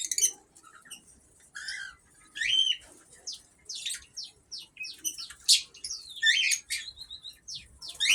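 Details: Ino cockatiels in an aviary, active and calling: a busy stream of short, shrill chirps and warbled squeaks, several rapid high notes overlapping as more than one bird calls.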